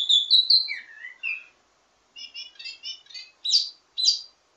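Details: Wambi mini singing varied ledekan (teasing) phrases meant for training other birds of its kind. Whistles and slurred notes are followed by a pause, then short chattering bursts and two sharp loud notes.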